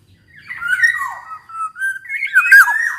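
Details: Black-naped oriole singing briskly, a recording used to trigger other orioles into song: continuous run of fluty, slurred whistles with a raspy edge, rising toward a loud final phrase.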